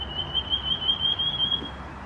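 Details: Common iora (Aegithina tiphia) calling at a home in Khao Yoi, Phetchaburi, Thailand, in August 2020: one long, thin, high whistle at steady pitch rising very slightly over about two seconds, above faint outdoor hiss.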